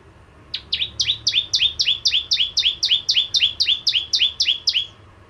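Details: After a short quiet start, a bar-winged prinia launches into a long, even string of about seventeen high, down-slurred chips, roughly four each second.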